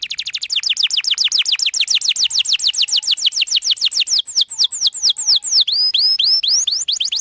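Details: Canary in full, continuous song, used as a lure to help young canaries learn: a long, fast trill of clear downward-sweeping whistled notes, about three or four per second, slowing near the end into wider, looping, ringing notes.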